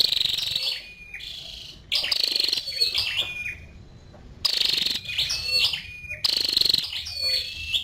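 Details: A female scarlet-backed flowerpecker gives four loud bursts of thin, high chirps and ticks, each trailing into brief falling whistles, separated by stretches of quiet.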